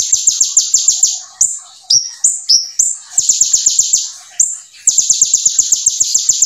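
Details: Brown-throated sunbird (konin, 'kolibri ninja') in gacor 'full nembak' song with brem ciblek filler: bursts of rapid, sharp, high downslurred notes about ten a second, broken by a few longer rising and falling whistles and short pauses.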